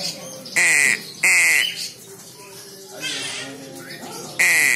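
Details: A young crow, called very intelligent, gives three loud rasping caws, two close together early on and one near the end, with quieter croaking notes in the gap.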